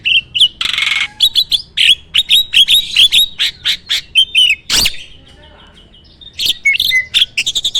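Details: Captive farm starling pouring out varied 'isian' song: a scratchy burst, then quick repeated whistled notes and chirps, a sharp crack, a near-silent pause of about one and a half seconds, and renewed falling whistles.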